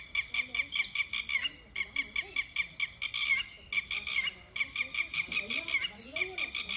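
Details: Bird calling in bursts of rapid shrill squeals, short runs broken by brief pauses, with faint low voices in the background.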